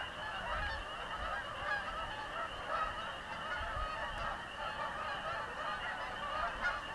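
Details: Flock of Canada geese flying over a house, fainter overlapping honks roughly once a second as the birds move off, against a steady hiss.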